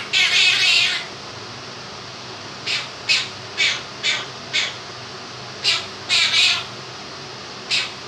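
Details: Pet Quaker parrot, a two-year-old male, singing 'If You're Happy and You Know It' in his own version. One long, loud scratchy phrase opens, then a pause, then about ten clipped raspy notes in a loose rhythm, with fan noise throughout.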